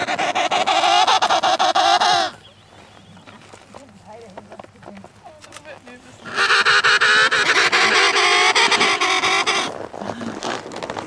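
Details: Emperor penguin met on sea ice between Cape Evans and Cape Royds: two long, loud, buzzy pulsed calls with warbling harmonics, separated by a quieter four-second stretch holding faint people's voices.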